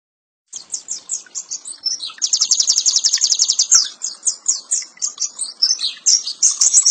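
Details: Oriental white-eye in the ngeriwik nyembur song style, a masteran training recording: high, thin chirps in quick succession, breaking into a dense, fast buzzing trill near the middle, then back to scattered sharp twittering notes.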